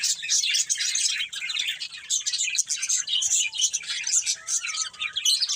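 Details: Continuous shrill twittering from a breeding pair of budgerigars, fast overlapping chirps and warbled notes, with a faint thin whistle-like tone running underneath.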